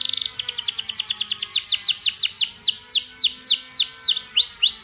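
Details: Canary song played for training canaries: a fast rattling trill of rapid notes that slows into a steady series of descending whistled sweeps, each repeated about every quarter second.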